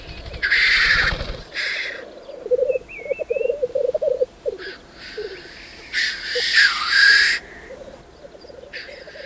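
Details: Black grouse displaying in the mating arena before dawn: loud rasping hiss bursts at the start and around six to seven seconds, a pulsing bubbling coo in between, and a brief thin whistled warble near three seconds.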